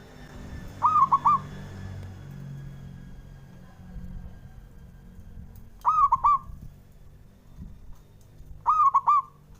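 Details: Local male zebra dove cooing relaxed and freely to provoke rivals: three short, clear, mellow cooing phrases of quick bubbling notes, spaced several seconds apart, over low background rumble.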